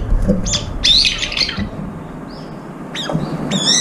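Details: Brown-eared bulbuls squabbling over food, one bird with a disabled left foot, give two loud shrill squealing bursts separated by a quieter gap with a thin whistled note.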